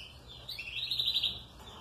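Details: A young Belgian canary, one of a batch of fledglings around 40 to 50 days old, out sunbathing, gives a brief run of thin, high chirps and twitters lasting about a second, over a faint low hum.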